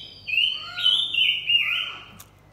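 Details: Singing pair of blue-winged minlas, male and female, in a lure song to provoke wild birds: a drawn-out whistled phrase of several linked notes, rising then gently dropping, with fainter lower echoes and a final click.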